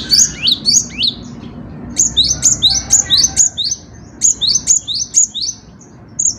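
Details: Cinereous tit in full song: very high, thin, sharply rising two-part notes repeated in quick bursts of four to five, with short pauses between bursts and a faint low hum beneath.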